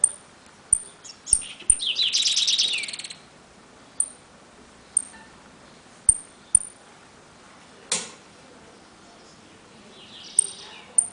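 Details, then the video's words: Short, very high thin pips from a caged saffron finch (jilguero) in Trenque Lauquen, spaced irregularly, with a harsh rustling burst early on and a sharp click near the end. "JILGUERO AUDIO "EL CORRENTINO" ( repique, golpe y pitadas)"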